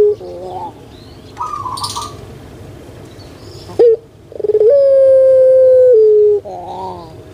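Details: Pet puter pelung collared dove, well known in Java, Indonesia, used to coax lazy birds to sing: a short sharp note, then a long level coo that dips at its end, with a wavering tail and other small birds chirping.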